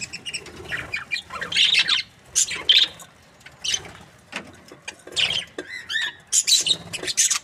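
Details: Breeding pair of Australian budgies, described as happy, giving separated bursts of sharp chirps and short rising squeaky notes, quieter gaps between phrases.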